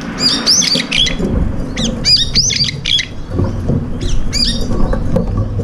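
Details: A group of up to five brown-eared bulbuls sharing breakfast, the meal turning into fights as birds peck and chase each other. Dense bursts of loud, harsh, screechy calls overlapping in quick succession, with low background rumble.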